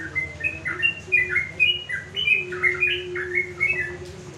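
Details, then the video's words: Caged sooty-headed bulbul on a house terrace in the afternoon, singing to provoke rival bulbuls into answering; continuous lively chain of short fluty whistles, rising and dipping, with a steady low hum behind. "Pancingan Trucuk Di Sore hari"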